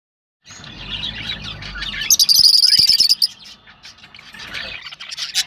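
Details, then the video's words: Rosellas chattering, sounds meant to stimulate breeding: busy high chirps, then a fast buzzy pulsed trill of about a second, followed by scattered softer chips. "تغريد طيور الروز ( حفز طيورك )"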